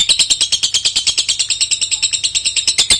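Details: Lovebird in long-duration singing; loud, shrill, high-pitched chattering made of rapid harsh chirps repeated about seven times a second in an unbroken stream.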